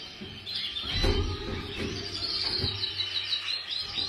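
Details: Male full frill canary singing: a continuous run of high, buzzy trills and rapid chirps, with background noise and low rumbling throughout.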